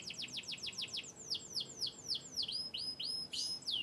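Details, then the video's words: Yorkshire-descended canary from Turkish and US stock singing fast repeated downward-sweeping chirps, slowing into spaced, looping whistled notes with a few thin high tones. "chirping birds.Canary bird."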